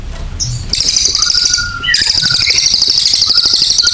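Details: Singing cililin in full voice: a loud, dense, high-pitched buzzy trill of rapid pulses, broken by a brief pause and occasional thin whistled notes.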